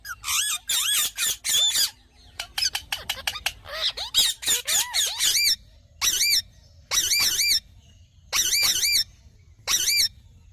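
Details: Green parrot calling in loud, grating squawks delivered in clustered bursts, then evenly spaced single screeches roughly every second near the end.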